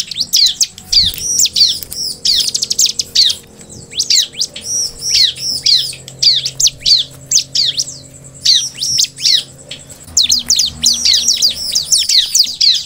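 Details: Sunda forktail, known locally as ciblek, in lively continuous song: rapid high chirps and sweeping downslurred notes in bursts, with a steady low hum in the background.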